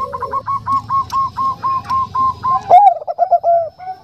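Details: Bangkok zebra dove with a soft voice, a female calling a male. Regular short coos repeat about four times a second, leading to an emphatic louder note and a rapid trill of cooing notes.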